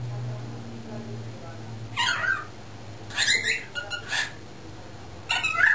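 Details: Young male cockatiel, under a year old and learning to talk, caged with other cockatiels while owners work in a driveway; short speech-like chattering phrases in three bursts over quiet low hum.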